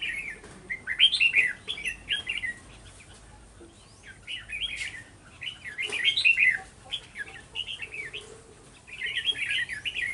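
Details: Red-whiskered bulbuls at a trap set with a decoy, recorded 11 November 2018: lively, chattering whistled phrases delivered in four or five distinct bursts, each a quick run of up-and-down notes.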